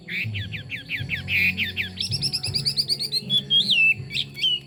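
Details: Chinese hwamei song: a run of quick slurred downward whistles, then a burst of rapid high chattering notes, ending with longer wavering whistles that rise and fall. A low steady hum sits underneath.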